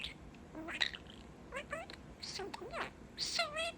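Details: Caged pet budgie talking up close, combining his favourite phrases such as "What Bird?"; short bursts of squeaky mimicked speech, quick sweeping chirps and a scratchy warble over soft room noise.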